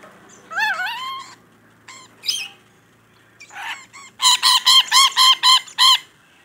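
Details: Chatty rainbow lorikeet giving a few rising, squeaky whistled notes and a rasp, then a fast, even run of about eight ringing, harsh calls.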